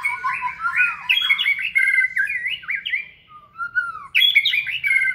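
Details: White-rumped shama, trained in a flight cage, pouring out loud, vigorous song: warbled whistles sliding up and down, a brief quiet gap, then a burst of bright twisting phrases.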